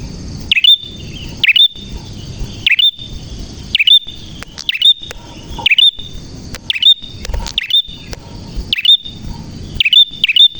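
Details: Prinia singing actively with a clear voice: a long run of quick swooping chirps repeated about once a second above a sustained high whine, with light low background noise.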